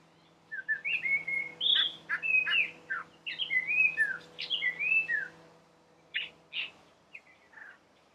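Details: Collared palm thrush in riverside gardens on the Chobe River, Botswana, early morning, singing a rich, fluty phrase of quick whistled notes and slurred warbles, mostly high-pitched, for about five seconds, then scattered notes; faint steady hum underneath.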